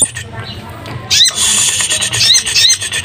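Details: A caged kolin, described as a Javan tesia endemic to Java, sings in high breeding condition on a drizzly afternoon: fast, high, scratchy chatter with sharp upslurred notes after a brief quiet start, while a man talks underneath.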